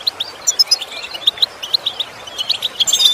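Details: European goldfinch, lesson material for improving song: clear, high chirping notes spaced about every quarter second, with faint twitters behind and a denser burst at the end.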